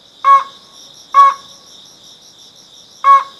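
Slaty-legged crake giving three short, harsh, nasal notes at an uneven pace, with a steady high insect drone throughout.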